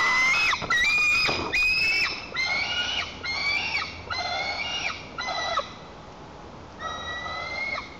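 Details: Tantrum by a white-tailed eaglet guarding its nest from its mother, Lower Kama National Park, Tatarstan, 21 July 2023. A run of harsh, harmonic screams about one per second, growing gradually quieter.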